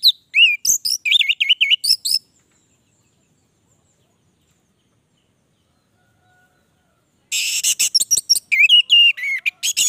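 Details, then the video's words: Orange-headed thrush in full 'gacor' song: quick trilled, wavering whistles and sharp chips for two seconds, a long pause, then another dense burst of high chattering and whistled notes. "Anis merah gacor durasi panjang"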